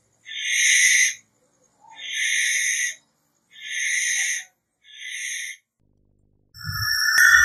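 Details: Barn owl with four rasping, breathy screeches of about a second each, evenly spaced, followed by a brief different whistling sound and a low thump at the end.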